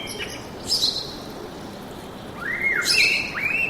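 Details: Birdsong in the forest: a short high chirp, a pause, then two rising whistled slurs, clear over light background hiss.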